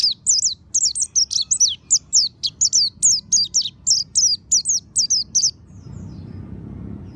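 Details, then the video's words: Oriental white-eye (monty type) lure song for stimulating singing: about five seconds of steady, rapid high chirps, each a quick downward slur, about three per second, then the song stops, leaving faint background hum. "Pancingan suara burung pleci monty ampuh agar buka paruh"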